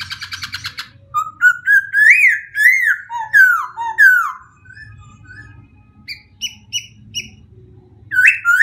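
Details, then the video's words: White-crested laughingthrush singing a rich run of rising and falling whistled phrases, loud and varied, followed by softer short notes and a final loud swooping burst. "Best White-Crested Laughing thrush bird songs"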